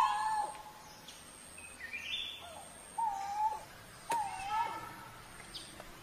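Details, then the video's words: Coral-billed ground cuckoo calls: three mellow whistled notes, each drawn out and slurring downward at the end, spaced unevenly over six seconds, while other birds add brief higher chirps and a faint rustling background. "เสียงนกโกโรโกโส Coral-Billed Ground Cuckoo Sound"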